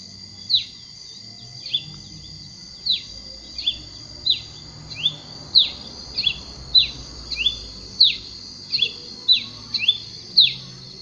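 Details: Masked cardinal, resident in Colombia, Venezuela and Trinidad and Tobago, repeating clipped down-swept chirps that start sparse and quicken into a steady series of some twenty notes, with a constant high-pitched hum behind.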